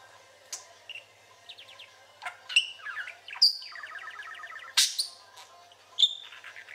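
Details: Pet male parakeet in chatty mood, mixing sharp clicks and chips with rippling pulsed trills and short twittered phrases, the longest trill running about a second.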